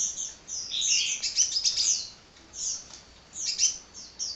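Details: Hummingbird in continuous lively song, a tangle of very high, fast chirps and thin trills rising and falling in loudness, quieter gap midway, then more twittering bursts.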